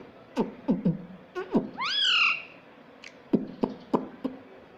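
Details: Pet parrot at home, taught to say "mummy papa"; amid sharp tapping clicks, one loud harmonic squawk swoops up then slides down, with further clicks after it.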